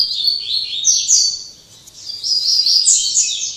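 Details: Double-collared seedeater in late afternoon after singing all day: two bursts of rapid, high chattering song with buzzy slurred notes, separated by a short pause.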